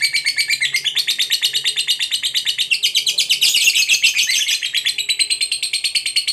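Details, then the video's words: A fighter lovebird's extended ngekek, a call for provoking a rival, sounds as a loud, unbroken rapid chatter of shrill grating notes, about five a second, with the pitch rising and falling over six seconds. "Pancingan Suara Burung Lovebird Fighter Ngekek Pancing EMOSI LAWAN"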